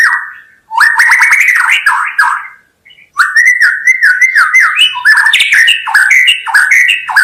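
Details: White-rumped shama song, offered for bird trappers as a lure: loud, varied whistled phrases with rapid chattering notes, a burst lasting about two seconds, a short pause, then a longer run of shifting, rising and falling whistles.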